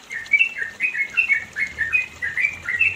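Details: Yellow-vented bulbul, recorded in the mountains of East Java as a training recording for songbirds, gives a fast, bubbly run of liquid chirping notes, mid-high and wavering, in short phrases about every half second, with no other clear sounds.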